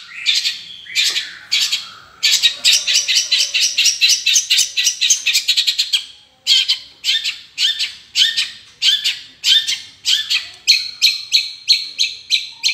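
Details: Long-tailed shrike singing energetically. It gives a rapid run of harsh, rasping chatter notes, then after a short break a slower string of loud, scratchy phrases, each repeated roughly once a second.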